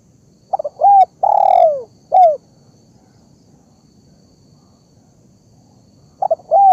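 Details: Spotted dove lure call: one phrase of brief coos, a long falling coo and a short final note, then several seconds of quiet before the phrase starts again.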